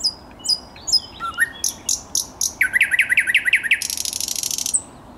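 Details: Thrush nightingale on 10 May 2021 sings a loud, varied phrase: thin high whistles, a low clicking run, then a burst of rapid knocking notes and a dry rattle.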